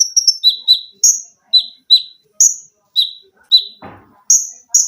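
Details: Caged olive-backed sunbird singing dense rapid shots and shrill notes for training other birds: a series of sharp high downslurred chips, alternating two pitches, about two per second, with one brief low rustle.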